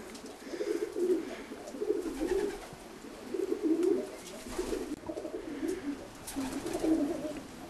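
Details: Three or four pigeons inside a dovecote in the Slaughters, in the Cotswolds, Gloucestershire, give soft, low, throaty coos in overlapping bursts that echo in the enclosed space.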